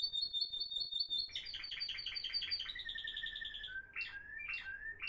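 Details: Caged Florealdo timbrado canary, recorded in 2021 among three high-quality birds, opens with a clear rapid high trill, shifts to a pulsing bubbling roll, then ends with spaced, rising, whistled slurs.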